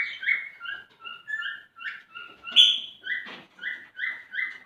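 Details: Male cockatiel courting a female: rhythmic whistled phrases with a single sharp, higher squeak in the middle and a brief rasp, then steady whistles again.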